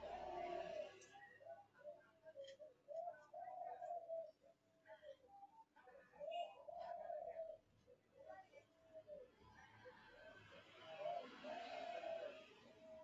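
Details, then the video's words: A young Kelantan-type zebra dove, a ringed captive bird, coos in strings of quick, mellow, rolling middle-pitched notes in short bursts. It still pushes hard at the phrase ends with young-blood energy. Faint clicks and room noise sit behind. "CEK SOUND Derkuku Kelantan"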